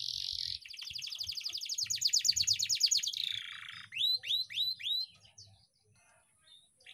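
A canary sings a fast, rattling trill of high notes for about three seconds, then four clear, downward-swooping whistles, over a faint low hum.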